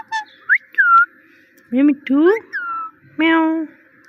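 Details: A talking parrot utters "meow" and "Mitthu": a few quick high whistled slurs, then three drawn-out hoarse voice-like syllables with layered overtones, the last held nearly half a second.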